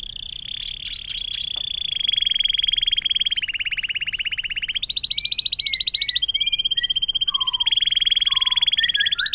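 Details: Atlantic canary singing a long 'air mancuran' (water fountain) style song, kept as a tutor for magpie robins, green leafbirds and shrikes: rapid high rolling trills, stepping between pitch levels and held for seconds, with short whistled notes near the end.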